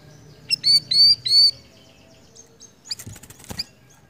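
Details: Siri-siri bird in lively (gacor) song: three quick, bright, downward-slurred whistled chirps. A burst of scratchy rustling and clicks follows, with steady low background noise.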